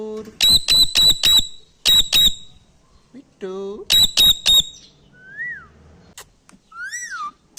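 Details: Parrot kept as a pet imitating a dog barking: clipped, shrill yaps in quick groups of three or four, then a lower squawk and two rising-falling whistles.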